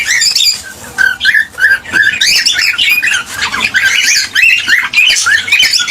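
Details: Cockatiel chatter and song meant to stimulate breeding; dense overlapping squeaky whistles and harsh notes, with several birds seemingly calling together in a busy, continuous stream.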